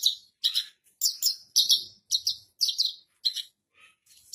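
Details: Captive Javan bush lark in full song, calmly perched on a stone, delivering its rolling 'ngerol' song: short bursts of high, buzzy, chattering notes in repeated phrases about every half second, separated by brief silences.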